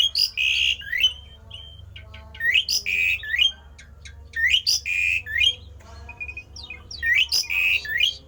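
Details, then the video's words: Javan pied starling in a rare, unusual song meant to provoke its kind into singing: four loud phrases of rising slurs, a flat held whistle and harsh clicks, roughly every two seconds, with a short dotted trill between. "jalak uren suara aneh langka di jamin Jalak uren lain panas ikut gacor!!!!"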